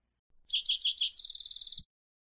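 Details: Spotted towhee (Pipilo maculatus) call, southeastern Arizona: four quick, high chipping notes followed by a fast, buzzy trill lasting about half a second, ending with a faint low thump.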